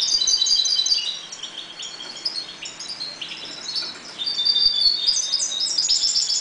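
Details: European goldfinches kept calmly in a 1.20 m breeding cage give soft, high twittering notes. The song swells again into a brighter run of chiming phrases toward the end.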